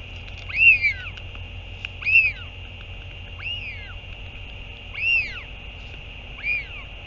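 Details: Northern royal albatross recorded 8 June 2023 at a feeding, a parent returning to the chick; thin, high arched whining calls, sloping down at the end, come roughly every second and a half above a steady hiss.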